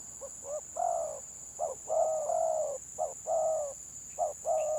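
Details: Contest of stuttering 'gagap' spotted doves, gelang patah edition: short hesitant coos alternating with longer smooth coos in tight sequence, steady high electrical tone behind.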